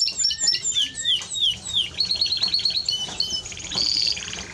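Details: Timbrado Español canary singing: a varied run of sharp downslurred whistles and chirps, then steady held notes and a bright trilled phrase near the end.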